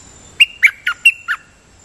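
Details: Dok taeng bird used as a decoy singer, repeatedly doubling its phrases: five sharp, clipped notes in under a second, bright and slightly squawky, dipping between two pitches over a faint steady high whine.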